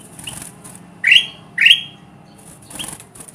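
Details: Kutilang emas (ruby-throated bulbul) calling to lure wild birds of its kind. Two strong rising, slurred notes come half a second apart, with softer notes and faint rustling before and after.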